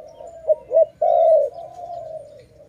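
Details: A dove recorded during bird trapping gives low, hollow coos: two short notes, then a longer, louder drawn-out coo, followed by a softer trailing hum.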